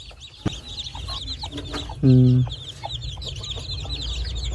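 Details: Hen with her chicks on a poultry farm: thin high chick peeps run throughout, with a short loud low droning call near the middle and a few soft clucks.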